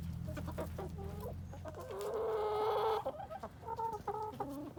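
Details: Backyard chickens on an urban farm in Colorado Springs, some eating a pumpkin: soft, nasal clucks and a drawn-out, wavering squawk, over a low rumbling background hum.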